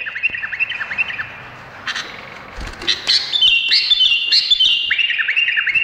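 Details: Indonesian bulbul song: a stretch of rapid bouncing notes, a short harsh burst, then lively high, looping phrases that rise and fall over a sustained whistle.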